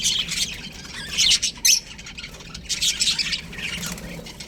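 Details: Baby budgies in an aviary giving scattered squawky chirps in short bursts, with quieter gaps and a few louder sharp notes near the start.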